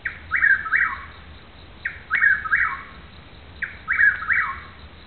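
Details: Unseen Chuck-will's-widow in Newton County, Arkansas, giving three clear repetitions of its rhythmic whistled phrase, a short note followed by two longer slurred parts dropping at the end, spaced under two seconds apart.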